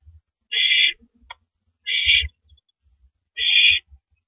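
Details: Owl at its nest at 9:14 PM on April 9, 2012, passing a rabbit to its mate after feeding; three harsh, raspy screeches, each under half a second, spaced about a second and a half apart, with faint low thumps between.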